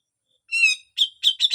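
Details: Harsh besetan song of a grey-cheeked bulbul, recorded as training material for songbirds. A short bright whistled note with many overtones, then three quick rasping, chattering bursts.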